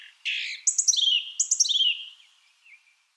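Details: Song thrush in song: a rich low warble, then two matching bursts of quick high notes sliding down into a trill, the phrase given twice in a row before a soft closing note; clean, quiet background.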